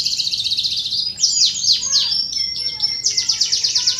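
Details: Canary lure song for contest and young birds: a quick high trill, then sharp sweeping notes and clear whistled tones, closing with a rapid series of descending chirps.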